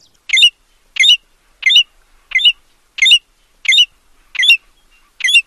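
An American golden plover gives eight short, high, slightly harsh whistled notes, about one every two-thirds of a second, against a quiet background.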